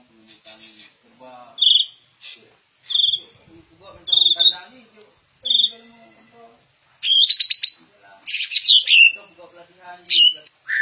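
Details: Murai batu, a white-rumped shama, a rare trained bird kept by its owner's relative, sings loud whistled phrases: short notes near the top, bursts every second or so, then richer rapid warbling trills, with faint low murmurs beneath.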